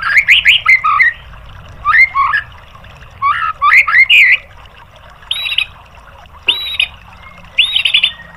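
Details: White-rumped shama song for training caged birds, a few chattering bursts of mixed notes followed by separate clear flat whistles, with quiet pauses between.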